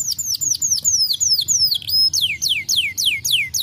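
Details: Canary singing to set other birds singing: a steady stream of clear, high whistled notes, each sliding downward, delivered several per second with brief breaks.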